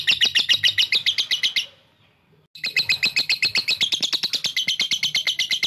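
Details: Lovebird in long ngekek song used to goad rivals: fast, even trill of shrill chattering notes, cut by a short silence of under a second before the rapid rattling trill starts again and continues to the end.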